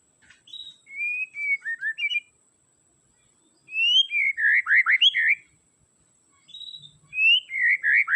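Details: White-rumped shama song intended to stir a reluctant singer: three phrases of loud, rich whistles with rapid descending slurs and twisted notes, separated by pauses of about one second, background quiet.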